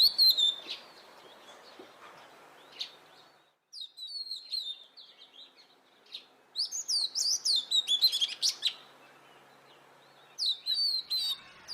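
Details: Oriental magpie-robin, called kacer, heard in loud bursts of high, sharp whistled and chattering notes over a rough background hiss, with several short phrases separated by brief pauses.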